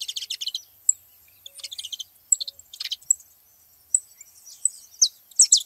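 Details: Several saffron finches at a feeding spot: a quick stuttering burst of buzzy notes, then scattered high chirps and short twittering phrases from overlapping birds, ending with loud downslurred notes.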